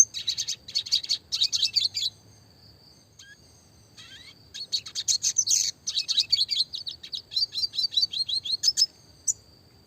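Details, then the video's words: Red siskin, classic lively song with clear voice for training small songbirds: long phrases of high, rapid twittering and buzzy trills, with a quiet gap in the middle. "burung red siskin klasik gacor suara jernih masteran burung kecil variasi roll tembak"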